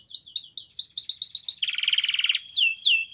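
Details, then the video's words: Training song of a Spanish Timbrado-style canary: quick descending whistled notes, a pulsed buzzy roll, then slower swooping whistles. "Canary singing Training Video"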